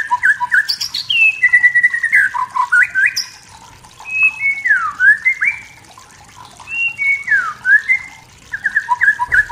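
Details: Wild white-rumped shama in forest, singing to stir up rival birds: separate phrases of sweet, swooping whistles and falling slurs, each phrase followed by a brief pause before the next.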